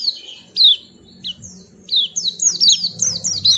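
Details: White-eye giving scattered high chirps that build into a quick, lively chain of downslurred twitters, with low background hum.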